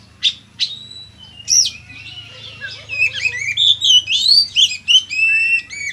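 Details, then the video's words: Oriental magpie-robin singing vigorously in the gacor konslet style. Two sharp opening notes give way to a fast, dense stream of twittering, sliding whistles and chattering phrases that grows louder toward the end. "suara burung kacer gacor konslet dorr"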